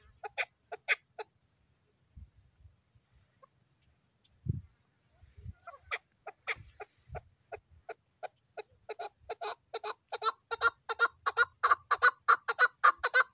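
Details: Lively male desi chukar partridge in good weather: a short run of clucks, a pause with soft low thumps, then a rapid chuck-chuck series that speeds up and grows louder, roughly two notes per second.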